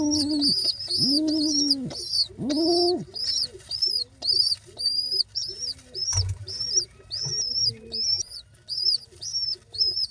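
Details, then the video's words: Begging squabs being fed: loud drawn-out rising-and-falling whines open the sequence, followed by rhythmic short arched notes under continuous high squeaky peeping. "how babys pigeons sounds | pigeon babys feeding"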